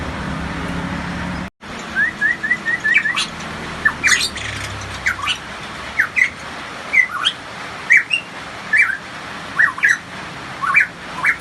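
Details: Variable (hooded) pitohui, a Papuan endemic with a loud voice, sings quick series of short, upslurred whistles, often paired, mixed with sharper chirps, against a faint low rumble.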